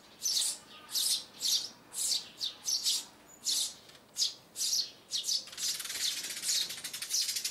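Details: Sparrows recorded in January 2021 as a lure call for trapping, giving calls meant to draw birds in and down: bright, high chirps about twice a second, then dense, continuous chatter near the end.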